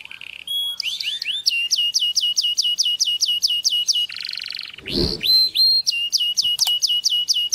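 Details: Canary singing to stimulate mating: fast rolling trills of bright, rising whistled notes repeated several times a second. A short harsh buzzy burst and a brief low thump break the song midway, then the trilling resumes strongly.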